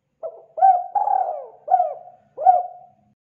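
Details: Spotted dove coo phrase used to lure birds: a quiet opening note, a short rising coo, a long wavering coo sliding lower, then two clipped, bell-like coos. The sound is soft and low.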